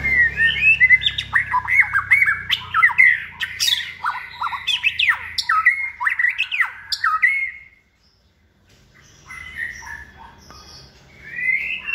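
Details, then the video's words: Caged second-season White-rumped shama, hand-raised and trained for song contests, delivers fast, jumbled chattering and whistled notes for seven seconds, then a pause and softer, scattered phrases. "chòe lửa dáng sẻ, hót cực bền nết chuẩn đấu giàn"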